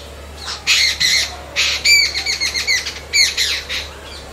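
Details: Jungle babbler (Bengali name ছাতাড়ে) babbling: harsh, squawky notes with sharp overtones, some in quick runs, broken by short pauses across four seconds.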